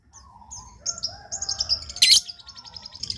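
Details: Lovebird calling to prompt others to answer: a run of high whistled and buzzy chirps building to a sharp harsh shriek, then quick rapid twittering.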